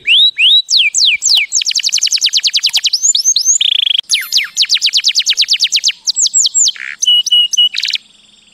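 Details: Canary singing to teach young birds. Phrases of rapid descending whistles alternate with tight rolled trills, a brief buzzy tour, and short clipped notes, loud and continuous with a quick pause midway.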